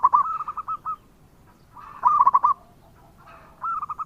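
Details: Local zebra dove in song, a lure recording: quick rattling coo trills in three bursts, each a run of short soft notes, separated by brief quiet pauses.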